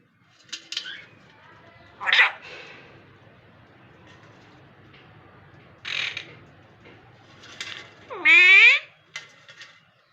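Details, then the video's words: Talking parrot heard in short raspy bursts spaced a few seconds apart, some speech-like, ending in one loud rising, richly harmonic squawk, then a few soft clicks. "Raw parrot speaking clearly"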